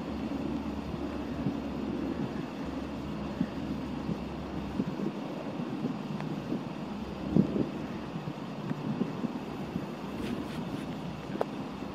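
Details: Rainy-day outdoor recording at Baylands Nature Preserve with steady low rumble of wind and passing vehicles, a few faint clicks, and no clear animal voice.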